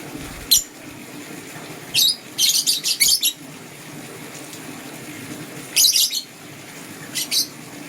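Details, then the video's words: Lovebirds, green and blue, heard in the morning giving piercing high chirps, some single and some in quick stuttering runs of four or five, separated by quiet pauses. "Green LoveBird Chirping Sound"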